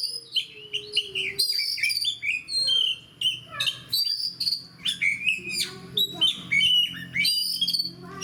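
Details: Caged oriental magpie-robin (kacer) singing in fighter mode: rapid stream of bright whistles, sweeping slurs and sharp chip notes in short bursts about every half second, rich and varied, over a faint low hum.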